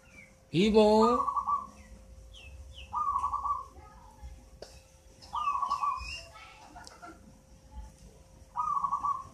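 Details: Local zebra dove, eight months old, taken from a nest in a mango tree and already singing often: rolling, trilled coo phrases repeated about every two and a half seconds, with a loud rising call near the start and faint high chirps from other birds.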